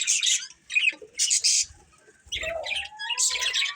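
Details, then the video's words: Colourful budgerigars giving short bursts of harsh chirps separated by quiet gaps, followed by a long, thin rising whistle under renewed scratchy chatter and faint low taps. "Colourful Budgies Chirping Sounds"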